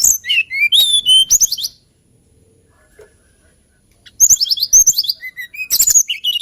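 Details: Song of a hill blue flycatcher, a songbird found on Kalimantan and Java: sweet high whistles falling in steps with sharp clicks, a pause of about two seconds, then another bright, lilting phrase.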